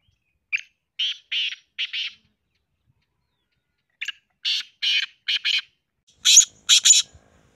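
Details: Black francolin (black teetar) calling in two phrases of rasping, clipped notes. A four-note series is followed by a pause, then a longer run of harsh, scratchy bursts that grow louder toward the end, with a quiet background.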